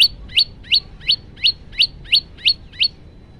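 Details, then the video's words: Male prenjak lumut (prinia) singing in relaxed 'tembakan' style, Samsung phone recording: nine clipped rising chirps at a steady pace of roughly three per second, then quiet. "Tembakan santuy prenjak lumut jantan"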